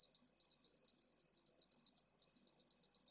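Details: Pallid swifts at a nest box colony in Jerez de la Frontera, with eggs in one nest and well-grown chicks in others. Faint, high, buzzy, rapidly pulsed trilling runs on throughout, quiet overall.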